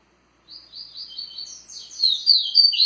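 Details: Rusty-collared seedeater in Tui Tui style song, strong and lively: a string of evenly repeated high buzzy notes swells steadily into a loud, rapid twittering finish.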